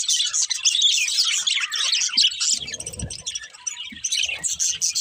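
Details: Several budgies chatter in fast, high chirps and warbles, the racket easing briefly in the middle while a soft low rustle is heard, then rising again.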